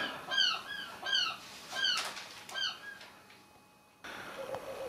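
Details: Seagulls perched on a house roof beside a chimney pot, calling continually: a loose series of downslurred, nasal, harmonic calls, several in quick succession, then quieter, with a faint thump near the end.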